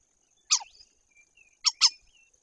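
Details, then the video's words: Common starling singing at a white-tailed eagle nest, where it treats the hidden camera tube as a possible nest site: three harsh, crackling bursts with thin, level whistles between them, over a steady high insect-like hiss. "Rozśpiewany szpak"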